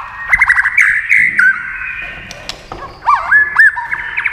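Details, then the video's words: White-rumped shama dueling in song with a TV, flicking its tail as it sings. It gives warbled whistled phrases, pauses with sharp clicks, then sings looping down-up whistles. "kích chòe lửa hót đấu với tivi cực căng lửa"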